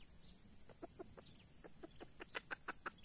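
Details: Wild Sumatran red junglefowl: two males approaching a decoy during traditional lure hunting. A run of short, sharp clucks, about a dozen in three seconds, growing quicker and louder toward the end, over a steady high insect whine.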